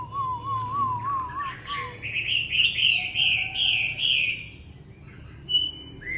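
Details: Captive Chinese hwamei, not fully moulted, singing indoors in a bird room on a bitterly cold drizzly morning: rich varied song, warbling low whistle, then rapid rolling high bright phrases with short sharp notes between. Chinese hwamei.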